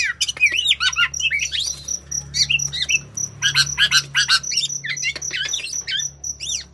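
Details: A local black-naped oriole in breeding condition, singing actively, gives a busy run of fluty, looping whistles broken by harsh nasal squawks, several notes a second, over a low steady indoor hum.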